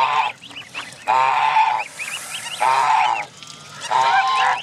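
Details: Canada goose families with goslings at Jess Ranch Lakes Park on May 23, 2014: four strong harsh honks about a second apart, with soft high gosling peeps filling the gaps.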